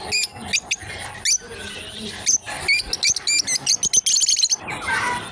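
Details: Lovebird pair playing together: a busy stream of sharp, high, squeaky chirps, often doubled or tripled, growing faster and more crowded near the end, over a faint constant high whine.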